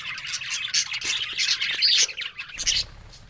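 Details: Budgerigars talking, a busy mix of high chirps, squawky bursts and warbled twitters from several birds, loud in short surges.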